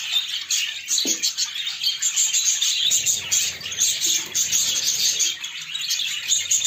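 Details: Pet budgies busy cleaning their nest, giving a steady stream of bright, overlapping chirps and warbling chatter, with a brief low knock near the start and faint rustling underneath.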